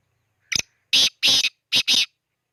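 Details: Harsh, grating black francolin call recorded around Khushab: a short clipped introductory note, then two pairs of loud, broad rasping syllables, the whole phrase lasting about a second and a half in otherwise quiet surroundings.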